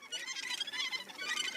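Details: Australasian gannet colony on a high cliff on Mana Island, New Zealand, played back: a dense, noisy cacophony of overlapping harsh, raspy calls forming a continuous chattering din with pulsing loudness.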